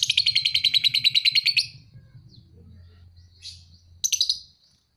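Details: Lovebird about two and a half months old, called a fighter: fast rapid-fire chattering trill of high chirps for over a second and a half, then a pause, a soft note and another short chirping burst.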